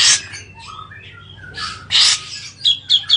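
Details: Bathing grey-cheeked bulbul whose voice should calm excited or breeding birds of its kind: brief whistled and chattering notes, some falling, mixed with loud water splashes at the start and middle and three short bursts near the end.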